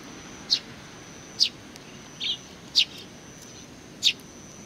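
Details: Several sparrows coming out to greet, 27 July 2020; five crisp high chirps roughly one per second, one a lower buzzier note, with a thin steady high whine behind.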